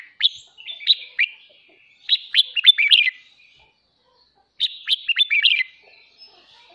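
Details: Red-whiskered bulbul singing in the morning, bright liquid whistled phrases about a second long, in three bursts separated by short silences, with nothing else heard.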